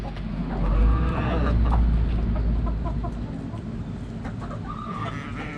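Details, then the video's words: Backyard hens clucking in quick irregular bursts, with a longer wavering hen call near the end and a low rumbling thump underneath early on. "Backyard Chickens Relaxing Sounds Noises Video Hens Clucking Roosters Crowing!"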